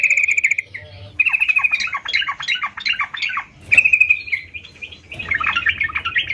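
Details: Sooty-headed bulbul (trucukan): a buzzy pulsed note, then a tumbling series of dipping, slurred chirps, another buzzy note, and a dense chattering finish.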